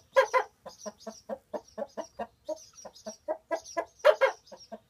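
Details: Hens gathered in the chicken house in the middle of the day, fussing at a person in their roosting place; a steady stream of short, low clucks, a few louder, harsher squawks among them.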